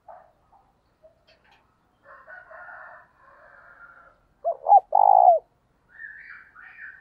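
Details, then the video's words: Decoy spotted dove calling to lure wild doves in, giving a loud three-note coo of short arched notes, with softer chirps and twittering of other birds before and after. "tiếng cu mồi thúc bổi và gáy gọi liu riu"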